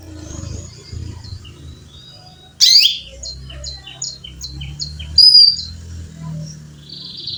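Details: Female canary calling a male with loud, sharp chirps, two strong sweeping notes a few seconds apart, with a row of quieter clipped high notes between them and soft low background rumble.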